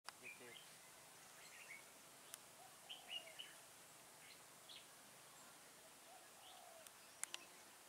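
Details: Red-whiskered Bulbul heard during trapping with a lure bird at Chùa Hương, Vietnam, on 28 October 2017: faint, short whistled and chattering phrases scattered through the clip, with sharp clicks and steady background hiss.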